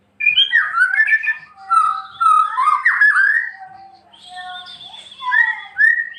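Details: White-rumped shama (murai batu), a bird in full song used as a master for training other shamas: rich, clear fluted whistles sliding up and down, delivered in varied phrases with short pauses between bursts.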